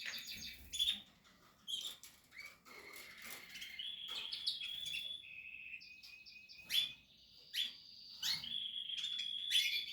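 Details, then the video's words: Portuguese harlequin canary building a nest, giving sharp chips and short whistled and buzzy phrases at intervals, including a level sustained tone, amid quiet rustling. "Canary,nesting Kanarien nestaufbau.Canarios portuguese harlequin Kanarya harlekin"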